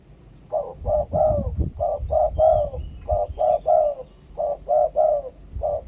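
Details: Spotted dove in Thailand singing the two-kuk 'khu-ang' style of cooing: repeated low hollow coo phrases in short clusters of two to three notes, separated by brief pauses, with low rumbling background noise.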